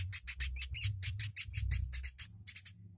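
A woodpecker gives sharp, harsh notes, about four each second, with a steady low hum underneath.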